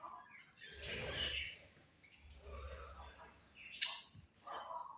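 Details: Australian budgie parrots chirping: bursts of bright, scratchy warbling and squeaky notes in quick succession, separated by brief pauses, with soft low thumps underneath.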